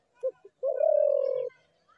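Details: One spotted dove phrase: two brief clipped notes followed by a drawn-out, low, steady coo that fades slightly at the end.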